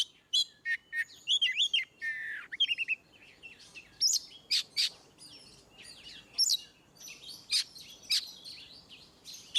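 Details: Oriental magpie-robin singing ngeplong, meant to prompt birds that seldom sing: jumbled chattering whistles and descending slurs at first, then spaced sharp buzzy notes against light background hiss.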